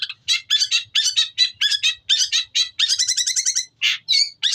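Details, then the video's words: Long-tailed shrike song with Tengkek Buto material, a continuous run of fast, chattering and scratchy phrases, rich and harsh, with a few brief pauses and a sharp whistled note near the end. "suara kicau cendet materi Tengkek Buto panjang"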